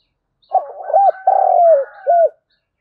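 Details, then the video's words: Single full phrase from a decoy spotted dove calling wild doves in the morning: rapid rough notes into a rounded coo, then a long, vibrating, downslurred coo and a short tail coo. "Chim Cu Mồi _ cu gáy gọi bổi buổi sáng"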